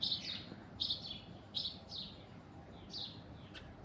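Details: Alexandrine parakeet perched on an orange tree, giving loud, harsh, grating screeches in short bursts, about five in under four seconds, over a faint low background hum.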